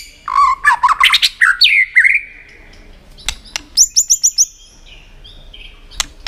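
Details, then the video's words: White-rumped shama, kept for song contests, in a varied song: fast whistled, warbling phrases sweeping between low and high notes, then a gap with sharp clicks and a run of high, rapid repeated notes. "Chòe lửa tạch đập đuôi kích thích lửa lên lửa rất nhanh kích chim hót đấu hiệu quả"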